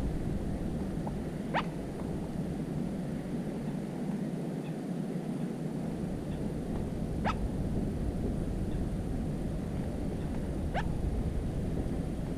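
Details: Little crake calling from cattails, recorded 13 July 2017: three loud, abrupt upward-sweeping notes spaced several seconds apart, each a thin rising whip, over constant low-pitched rushing noise.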